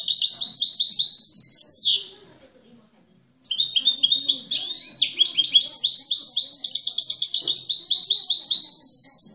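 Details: Captive European goldfinch, praised as a faultless master singer, gives a fast twittering phrase ending in a descending buzzy sweep, then after about a second and a half of silence resumes a long, continuous bright tinkling warble.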